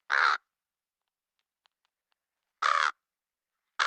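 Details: Black crow giving loud, harsh, raspy caws, each about a third of a second long and spaced roughly two and a half seconds apart, with a third caw starting at the end; near silence between calls.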